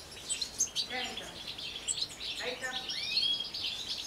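European goldfinches twitter in a fast, liquid, tinkling jumble of high notes and short rising whistles, with a faint low voice briefly underneath.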